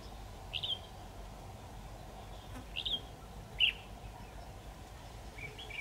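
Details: Red-whiskered bulbul used as a decoy during trapping on 23 October 2019, singing to challenge rivals: three short, bright whistled notes spaced about a second apart over steady low background noise, with a faint fourth note at the end.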